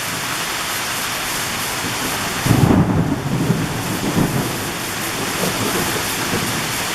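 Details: Summer afternoon thunderstorm with heavy downpours: steady hiss of rain on surfaces, with a deep thunder rumble swelling partway through and fading back into the rain.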